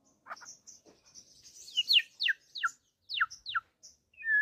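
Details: Courting white-rumped shama singing: scattered high thin notes, then a series of sharp downward-slurred whistles, ending on a lower sustained whistle.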